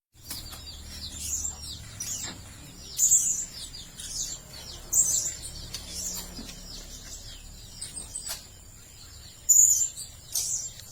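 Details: Blue-crowned hanging parrot used as a lure to attract other birds: thin, very high squeaky notes at irregular intervals, with four louder sharp chirps standing out over a faint background hiss.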